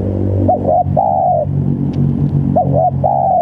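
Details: Spotted dove in full voice, calling to provoke rival doves: two back-to-back phrases of two short coos and a long level coo, set over a steady low humming drone.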